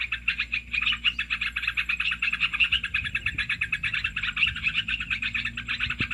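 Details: Lure recording of Olive-winged bulbul used to attract birds for trapping: a continuous run of fast, harsh chattering notes at a steady rhythm, with a soft low hum underneath.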